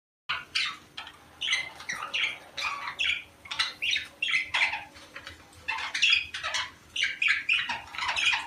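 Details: Budgerigars in breeding season, sounds played to encourage females to lay eggs: dense chattering warble of rapid buzzy chirps and squawks, high-pitched, in bursts roughly every half second, a faint steady hum underneath.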